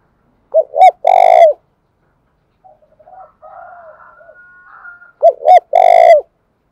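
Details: Spotted dove cooing to provoke rival males: two short upslurred notes then a long, steady, mellow coo, repeated twice, with softer warbling whistled notes in the pause between phrases.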